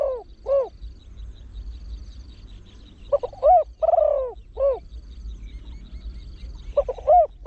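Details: Deep-voiced trained spotted dove used as a decoy for wild birds, rapid throw-one-kook cooing style. A pair of soft hooted coos opens, followed by two later bouts of mellow, rounded notes, with a low background hum.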